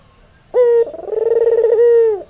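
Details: After a short pause, a white albino Barbary dove male with red eyes gives one coo as a training lure. A sharp short note is followed by a long, pulsing, low hum that ends with a slight fall.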